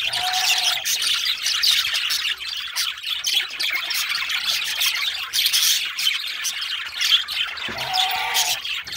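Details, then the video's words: A male budgerigar chirps and sings in a fast, scratchy warble mixing squeaks, clicks and rasping notes, with a short lower hum-like tone at the start and again near the close. "Male Budgie/Parakeet Singing/Chirping"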